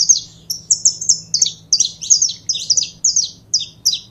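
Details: Saffron finch repeating crisp, high, slurred chirps in short pairs and triplets at a lively, regular pace over a quiet low hum.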